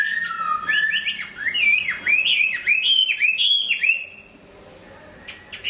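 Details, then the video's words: Hwamei singing while moulting: a rich, varied run of loud slurred whistles, swooping down and up, with a buzzy phrase early on, fading to near quiet near the end. "Hoạ mi hót khi đang thay lông"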